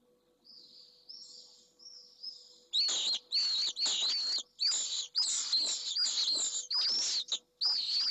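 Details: Pallid swift in a nest box at Esclavas de Jerez, Jerez de la Frontera, a male defending the nest with a freshly laid first egg against an intruding swift: faint trills, then loud harsh screaming bursts about every half second.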